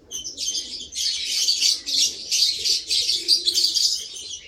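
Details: Lovebird chattering continuously with rapid, scratchy high chirps pulsing about three times a second.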